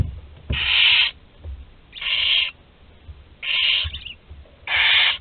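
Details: Last chick in a barn owl nest at Théding on 26 July 2020, captured by nest camera: four evenly spaced, drawn-out raspy hisses, roughly one every 1.3 seconds, against a quiet background.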